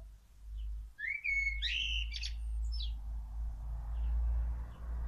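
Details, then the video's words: Common blackbird singing hidden in a tree: one short phrase of a clear whistle followed by a jumbled burst of higher chattering notes, set against a steady low rumble of background noise. "il canto del merlo"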